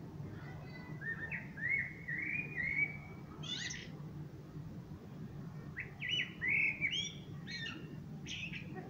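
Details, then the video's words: Common blackbird singing: a low, fluted warbling phrase followed by a high squeaky flourish, then after a pause a second mellow phrase with another thin, high twitter at the end, over a steady low hum. "Пение чёрного дрозда."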